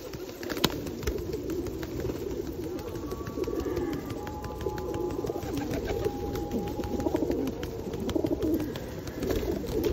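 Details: At Osu Kannon on a rainy 2021 day, feral pigeons crowd in for food, cooing in a low continuous drone, while faint thin tones and many small rain ticks sound through it.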